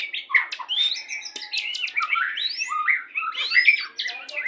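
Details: White-rumped shama, Pastol type, song used as a lure to bring a pair into breeding condition; dense run of rising whistles, squeaky slurs and harsh notes with sharp clicks throughout.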